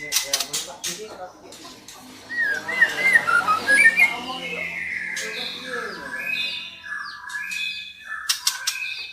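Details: Calling female white-rumped shama meant to provoke a male into song; sharp clicks open, followed by a tumbling series of rising and falling whistles, then softer slurred notes and further clicks.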